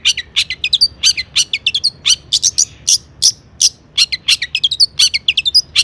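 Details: Long-tailed shrike in vigorous mimicking song, intended to set other shrikes singing: clusters of sharp rising chirps and scratchy notes, stuttering and varied, with short pauses between bursts.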